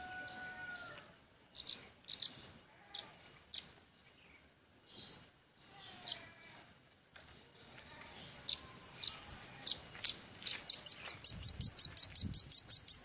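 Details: Velvet-fronted nuthatch, a training recording for songbird keepers: scattered sharp, very high chirps at first, then a quickening run of clipped high notes ending in a fast, even rattling series. A faint steady tone is heard at the start.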